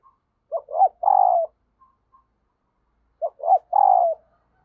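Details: Female dove calling to excite the male, a call said to quickly rouse wild doves: two low cooing phrases about three seconds apart, each made of two short notes and then a long, wavering, falling coo, in quiet surroundings.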